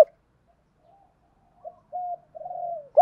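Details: Spotted dove heard as a lure to prompt cooing: quiet, drawn-out level cooing notes with a slight wavering, separated by short gaps, with a louder note cut off at each end.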